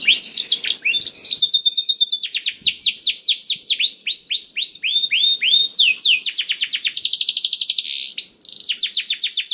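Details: Black-throated canary song for stimulating other canaries to sing, made of repeated high rapid trills and cascades of sweeping notes, phrases separated by brief changes in pace.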